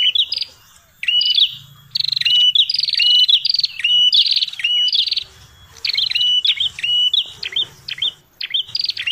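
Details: Prinia, locally called prenjak kepala merah, giving a noisy lure call: rapid, buzzy chirped phrases with upturned hooks, repeated in quick runs broken by short pauses near one and six seconds, with faint low rumble beneath.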